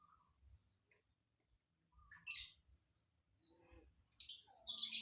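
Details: Lovebird performing a strange fill-in (isian) song that is hard to predict: scattered faint notes, a harsh buzzy squeak mid-clip, then two loud rasping chirp bursts close together at the end.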